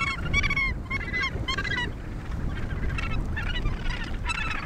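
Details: At the Point Danger Gannet Colony near Portland, Victoria, Australia, several Australasian gannets give harsh, nasal calls in rapid overlapping bursts over a steady low roar of wind and surf.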